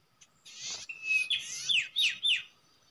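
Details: Common iora at a bird-trapping site where it usually nests: a harsh, buzzy burst followed by a run of clear whistled notes that slide sharply downward, about four slurs in quick succession.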